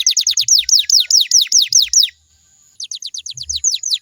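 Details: Canary song meant to make other canaries sing back: rapid descending whistled notes in a tight series, a brief pause with a thin held tone, then the falling notes resume, with soft low knocks.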